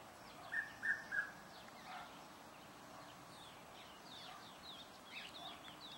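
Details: Red-chested Cuckoo calling from a South African suburban garden in Pretoria: one loud three-note descending whistle, then a fainter repeat, while other small birds chirp and twitter in the background.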